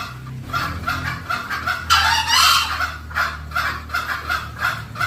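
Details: Green junglefowl lure call, used to draw the birds in. Rapid clucking notes repeat a little over twice a second. One louder, rough, harsh burst near the middle rises above the steady clucks.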